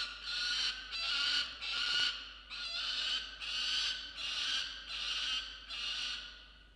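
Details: Peregrine falcon male at his nest box early on 27 December 2022, guarding freshly caught musk lorikeet prey and screaming: seven harsh, ringing screams, each about half a second long, coming roughly every 0.8 seconds in a steady series.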